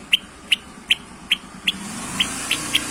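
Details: Long-tailed shrike lure recording meant to provoke rival shrikes to sing: a steady series of brief sharp high ticks, one roughly every 0.4 seconds, nine in all, over a soft low hum.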